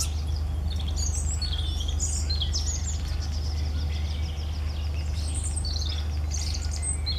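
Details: European robin singing: quick high, thin warbled phrases with short trills and sliding whistles, tumbling in irregular bursts over a steady low rumbling hum.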